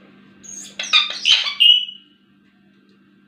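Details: Pet talking Indian ringneck parakeet giving a short run of gritty chattering syllables ending in a drawn-out shrill squeak, then quiet over a low hum.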